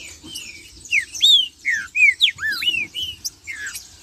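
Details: Trinca-ferro (green-winged saltator) in lively marching song meant to provoke other birds into singing: a dense string of looping and falling whistled notes, several per second, over a high-pitched hiss.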